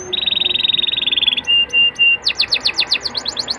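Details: Young Atlantic canary song used to lure other canaries into singing: a fast buzzy trill, then three long flat whistles, then rapid downward-swept notes repeated several times a second.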